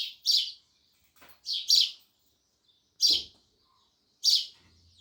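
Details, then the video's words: Sparrows giving loud, sharp chirps, some doubled, spaced about a second apart, with a brief low thump and a soft low hum near the end. "Sparrows Loud Chirping Sounds"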